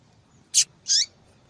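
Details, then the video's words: Female Double-collared seedeater calling persistently, a call used to excite and stimulate males to sing; two sharp, high chip notes about a third of a second apart, the second slightly longer and falling, over faint low background hiss. "Fêmea de Papa capim Chamando Muito para Esquentar papacapim !"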